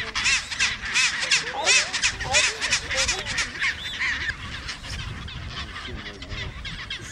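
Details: Chinstrap penguins in Antarctica, on the peninsula or at Deception Island: many overlapping raspy, nasal calls repeated in quick succession, giving a busy colony chatter that fades slightly toward the end.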